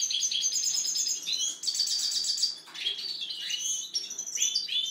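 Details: Kept European goldfinch delivering rapid, high-pitched twittering song: bright repeated trills, sliding downward whistles and scratchy buzzes run together with hardly a break.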